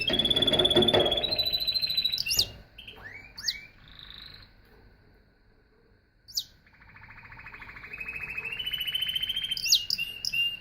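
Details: Singing canary delivering a varied song: rapid trilled rolls, looping downward whistles and sharp upswept notes, a brief pause, then a long rising buzzy trill ending in bright chips.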